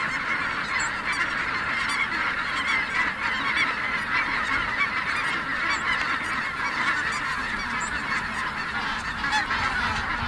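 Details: A large flock of snow geese lifting off at Merced refuge produces an unbroken din of overlapping honking and yelping calls that holds steady for about ten seconds, with a faint rushing undertone.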